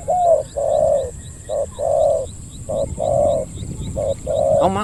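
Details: Big-voiced 'khu ang' cooing of a spotted dove lured by a decoy bird: low, rounded hoots in uneven pairs and longer drawn-out coos, with brief silences between phrases and a faint thump at the end.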